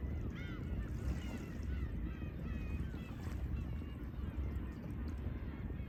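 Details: Black-tailed Gulls at a fishing port in Imabetsu, Aomori, Japan: a quick run of curved, mewing calls early on, then more spaced cries, all set against heavy rumbling waves.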